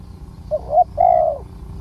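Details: Spotted dove, a wild bird with a large, deep cooing voice, heard while being lured with a decoy. One phrase: two brief clipped notes leading into a sustained, slightly falling coo, over faint low rumble.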